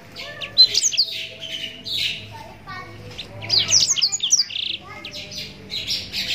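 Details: Blackthroat, or Yellow-rumped serin, in a long mastering song: dense high chattering and whistled slurs mixed with a few lower tonal notes, delivered in uneven bursts, with quiet low background noise.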